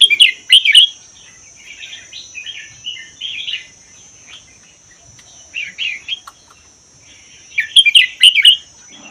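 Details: Red-whiskered bulbul caught wild in the Vietnam–Laos forest and kept a year, its song mostly doubled, played to encourage other bulbuls to sing. Loud chortling bursts start and end, with softer warbled phrases between them from other birds.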